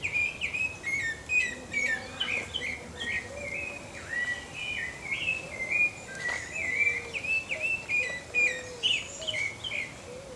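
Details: Warbled song of a pale-breasted thrush, a Brazilian bird: a continuous string of clear, varied whistles with quick up-and-down slurs and occasional higher squeaky notes, against faint background noise.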